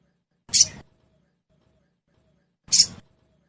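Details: Crested jay of the trotol type, played as a lure to make a bird sing quickly: two brief, breathy, rasping bursts about two seconds apart, with silence between them.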